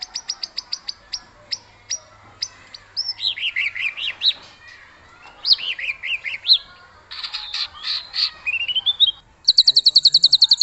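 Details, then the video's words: White-rumped shama in aggressive song to provoke rivals into singing: a series of sharp high clicks, then rapid rising and falling whistled zigzags, ending in a dense buzzy high trill. "Murai Batu Ngamuk Rekomended untuk Pancing MB lain ikut Gacor + Fighter"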